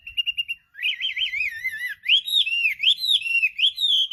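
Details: Chinese hwamei pouring out a loud, sustained song. Several quick repeated whistles lead into rolling, warbled and wavering whistles that rise and fall continuously, and the song ends in long sweeping phrases over a quiet background.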